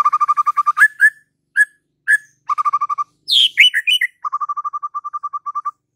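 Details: White-rumped shama song mixing rapid trains of identical mid-pitched notes with sweet swooping whistles and a high downslurred phrase, closing on another even, fast-repeated note series.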